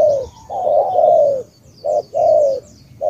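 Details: Cà Mau spotted dove in tú-style cooing. A long drawn, gently descending coo is followed by a clipped short note and another long falling coo, while small birds twitter faintly in the background.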